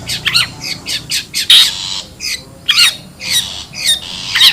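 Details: Long-tailed shrike from the wild, recorded as a lure sound to gather birds: loud scratchy squawks in uneven clusters, with brief downward-sliding notes and short pauses between bursts.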